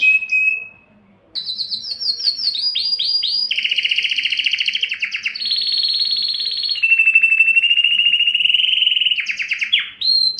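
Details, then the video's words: Belgian canary singing to arouse females for mating. A short whistle and a pause lead into descending swoops, followed by long fast trills at several pitch levels and quick rising notes at the end. "تغريد كناري للتسميع و تحفيز الانات للتزاوج 24- Canário cantando para atrair fêmeas para a reprodução"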